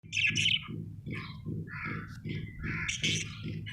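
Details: Pet budgerigar chirping happily: short bursts of buzzy, scratchy warbled notes over a steady low rhythmic thumping in the background.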